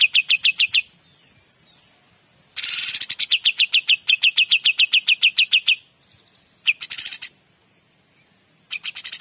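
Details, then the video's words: Kapas tembak singing clearly in energetic phrases. Fast repeated sharp chips are interrupted by silences, and several phrases open with a rough, buzzy rasp before the ringing notes follow. "KAPAS TEMBAK GACOR DOR"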